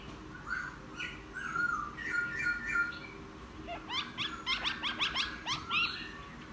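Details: A newly caught wild laughingthrush, kept caged for ten days, sings casually after bathing in a chattering style. Slurred whistled phrases come first, then a quick run of sharp, repeated rising and falling notes over a faint low hum.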